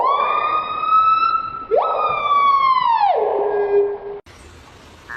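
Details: A loud siren wails on a long, steady tone, sweeps up sharply, then slides down and cuts off; no animal sound is heard.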